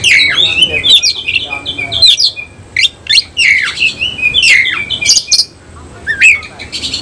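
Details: Semi-Cililin oriental magpie-robin bursting into full song with feathers puffed and tail fanned open; bright varied whistles, quick downslurred and upswept notes and crisp chips delivered in energetic phrases separated by short gaps, little else audible.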